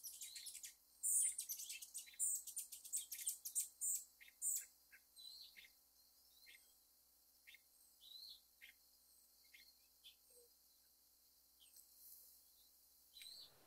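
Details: Rufous hummingbird, one of the feistiest hummingbirds in North America. A rapid chattering run of high, sharp chips slows into spaced single thin notes against near silence.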